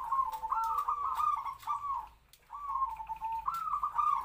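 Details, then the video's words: Zebra dove decoy with a medium voice, chosen to draw in larger-voiced wild doves, singing short, buzzy trilled coos in two groups split by a silent pause. "perkutut pikat suara sedang kwor2"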